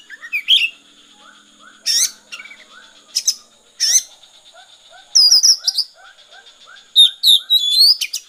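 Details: Oriental magpie-robin performing 'konslet' song: sharp rising whistles and rattling bursts in groups roughly every one to two seconds, separated by a steady background of soft, evenly repeated lower chirps.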